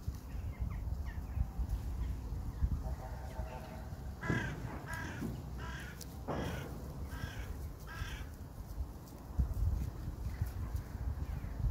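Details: Outdoor crows give a series of short harsh caws in quick succession midway, after softer calls earlier, over constant low-frequency rumble.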